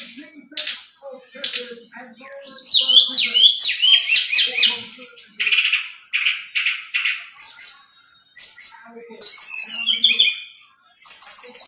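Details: Brown-chested jungle flycatcher in a rich, clear, flute-like song: sharp clicking chips, a tumbling run of quick zigzag whistles, then harsher rasping notes and high whistled phrases, with brief pauses between bursts.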